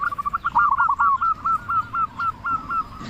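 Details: Local Indonesian zebra dove with a big voice, singing persistently as a lure to make other doves answer; a quick run of about a dozen short, arched cooing notes, evenly repeated, slightly fading toward the end over faint low background rumble.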